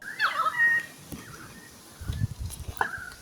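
A Pied Currawong gives a quick run of ringing, wavering whistles, then a lone clear note a couple of seconds later, over low rumbling background noise.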